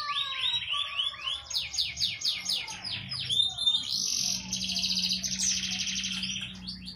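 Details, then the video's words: Full-repertoire canary song used to tutor young birds: a series of descending sweeps, then dense fast trills and rolling high tours, over a faint low hum. "Long Shooting Canary Sound"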